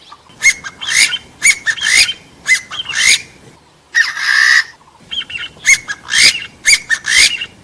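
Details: Partridge calls used as a lure for hunting and trapping wild birds, with background noise filtered out: harsh, raspy squawks in quick irregular bursts, briefly interrupted by a hissing noisy stretch midway.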